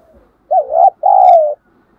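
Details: Spotted dove kept as a decoy, calling to provoke wild rivals into fighting. One soft, low coo phrase: a brief wavering note, then a longer, smooth, slightly falling note.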